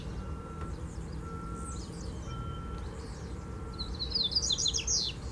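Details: Double-collared seedeater singing Mateiro-style from a wire fence: a quick cluster of high, slurred, descending chirps near the end, after faint scattered notes, with repeated electronic beeps and low traffic-like rumble.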